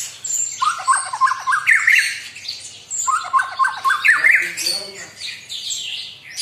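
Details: Murai batu, the white-rumped shama, singing a provoking song meant to make a rival agitated; rich varied whistled phrases and chattering notes, two similar bursts about three seconds apart, with bright high notes and rapid trills.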